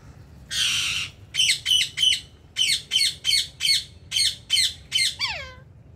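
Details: Ring-necked parakeets in India; one long rasping screech, then a rapid even series of about ten harsh squawks ending in a falling whistled note, over a low hum.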